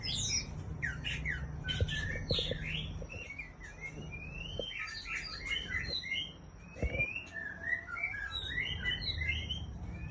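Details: White-rumped shama of the Aceh type, a breeding hen, sings a rapid, nearly continuous run of varied whistled and chattering phrases that slide up and down through high pitches, over a low background hum and a few soft knocks.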